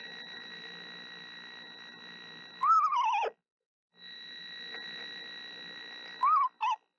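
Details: Soft song of a mother screech owl sitting on her eggs, bonding with the owlets before hatching. Two descending quavering whinnies about three seconds apart, the second short and broken, over a steady mechanical hum.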